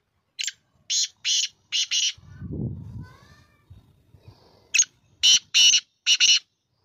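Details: Black francolin (kala teetar) calling, two bursts of harsh, grating, clipped notes in quick groups of four or five, separated by a low murmuring voice and quiet pause.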